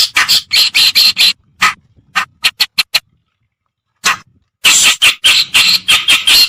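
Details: Reed warbler, white-browed or black-browed, in a lure recording meant to draw birds in: clusters of loud, scratchy chak notes with scattered single calls and a long quiet stretch midway.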